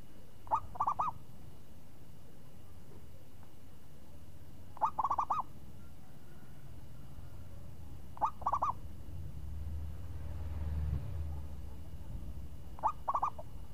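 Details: Champion zebra dove with a crisp, swinging 'renyah ngayun' voice, repeating its rolling cooing phrase about every four seconds, four phrases in all. A low rumbling noise swells briefly in the background.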